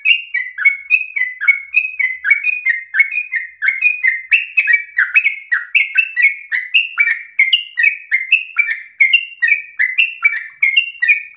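A yellow-vented bulbul sings a loud, unbroken run of bubbly, rapid chattering notes, rising and falling in quick phrases, with no other sounds.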